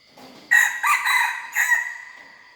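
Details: Young red junglefowl hybrid learning to crow: a loud, harsh, broken crow of several rasping syllables, with a steady high insect-like hum in the background.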